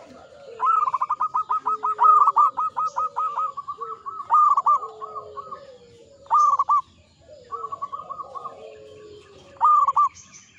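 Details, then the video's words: Zebra dove, a local bird, singing persistently in the ngepat Mataram rhythm: a long opening run of clipped, rapidly repeated coos, then several shorter bursts of rolling notes, each trailed by a soft, low, sliding tone. "Perkutut lokal gacor IRAMA NGEPAT MATARAM"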